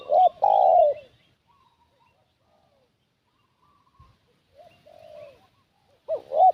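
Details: Decoy spotted dove calling to draw in wild doves: a loud phrase of quick hooked notes and a drawn-out coo opens and closes the recording, with a softer distant coo and faint high twittering in the quiet gap.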